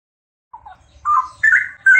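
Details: Straw-headed bulbul pair singing: after a short pause, a soft low whistle, then three loud, rich warbled phrases, each stepping higher in pitch.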